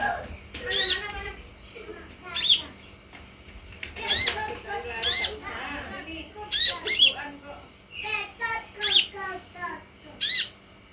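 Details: Sunbird lure sound meant to make other sunbirds answer and sing: loud, harsh, harmonic squawking notes given singly or in quick pairs, some with rising high whistled tips, spaced about one to two seconds apart, with a faint low hum beneath.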